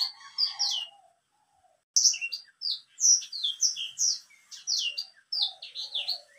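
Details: White-rumped seedeater song: brief high phrases, a one-second pause, then a long run of quick sweet whistles and sharp slurred chirps.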